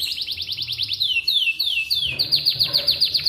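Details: Atlantic canary morning song to prompt other canaries to sing: quick repeated high downslurred notes, a few slower descending sweeps, then rapid repeated notes again.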